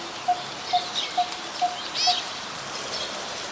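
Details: Coppersmith barbet, recorded on 2 January 2021 in Ubon Ratchathani, Thailand, where it is a very common resident. Five mellow, evenly spaced 'tuk' notes sound, with higher chirps from other birds over them.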